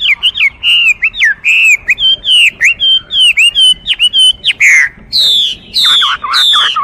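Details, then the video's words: Fast, flowing song of a Chinese hwamei, with many short looping whistles in quick succession, ending in longer, louder falling phrases. "画眉鸟的声音 The Voice of a Thrush"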